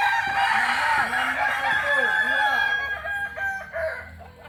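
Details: Kokok Balenggek cockerel, a native breed of Solok in West Sumatra, gives a rich sustained crow lasting over two seconds. Short arched clucking notes repeat below it, then fade as the crow trails off.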